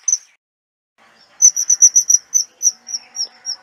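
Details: Kingfisher uttering one shrill high note, then after a pause a rapid run of about a dozen piercing whistled notes that slow slightly and fade as the series ends; faint lower chatter behind.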